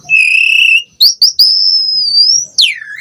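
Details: Asian pied starling (jalak suren) giving a varied song: steady pure whistle, then short sharp notes and a long wavering high whistle ending in a downward slur.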